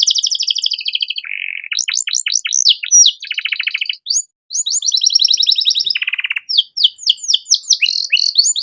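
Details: Canary master song with elaborate phrasing for training young birds: quick alternating trills, rattling rolls, sweeping slurred notes and a final burst of sharp downslurred notes, sung almost without pause.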